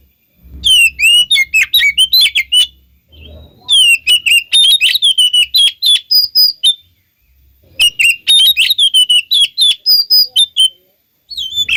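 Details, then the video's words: Oriental magpie-robin song intended to get other magpie-robins to answer: three bursts of fast whistled and clicking phrases, each lasting about three seconds, separated by short silences. "Pancingan Suara Kacer Pasti Kacer Anda Nyahut Bikin Konslet"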